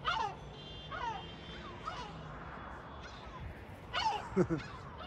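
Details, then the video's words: Gulls at the sea in Batumi, Georgia, giving short, downward-slurred yelping calls in scattered bursts, with a louder cluster near the end over a low background rumble. "Чайка морская,батуми | Sea gull,batumi | თოლია,ბათუმი| Gulls"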